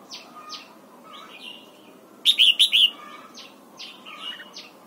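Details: Morning training song of a red-whiskered bulbul working on double-note singing: one loud four-note warbled phrase in the middle, surrounded by scattered soft chirps and thin calls from other birds.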